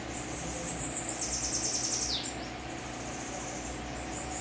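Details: Several kept bananaquits, locally called sibite, housed together at a home; one gives a fast, high-pitched run of repeated buzzy notes closing with a quick falling slur, with fainter trills afterward and constant low background hum.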